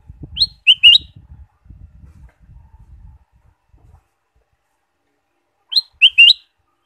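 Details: Ruby-throated bulbul song for stimulating caged birds: a loud phrase of three or four sharp whistles, then low noise and silence, then the same whistled phrase repeated about five seconds later.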